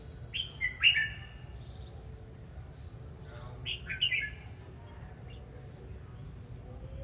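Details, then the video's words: A red-whiskered bulbul sings while dancing, giving two short warbled phrases of sliding, whistled notes about three seconds apart. The song is fairly soft against a continuous low rumble. "Chào mào hót múa"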